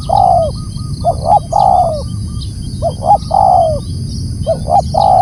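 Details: Loud, close spotted dove calling in quick succession, about four phrases, each two short hollow hoots then a long descending coo, roughly every one and a half seconds. Faint high chirps from other birds behind.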